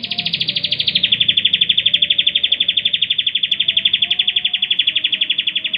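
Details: Bar-winged prinia, a kept bird in full song, recorded as a master song for training other songbirds: one long unbroken high trill of rapid evenly spaced notes, about four per second. The trill steps slightly lower after the first second and holds steady, with faint low hum beneath.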